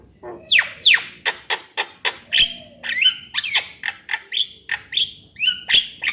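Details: Javan myna delivering a varied song: upward-sweeping whistles and sharp clicks alternate in a quick, uneven series, with some nasal, bending notes toward the end.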